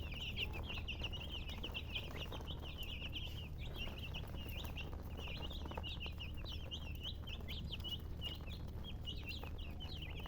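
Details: Many overlapping chicken chirps, high and jittery, ring on without a break through the whole stretch, set against a low, steady background hum.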